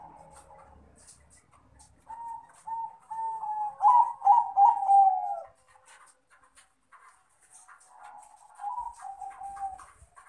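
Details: A male zebra dove of Bangkok crossbred stock calls out to a rival with two bursts of rapid, slightly wavering coos. The first phrase is loud and long. The second is shorter and softer, with quiet pauses between them.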